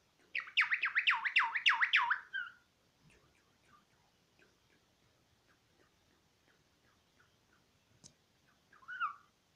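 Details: Talking myna giving a fast series of loud warbling, looping notes lasting about two seconds, then quiet clicks and a single short squeak near the end.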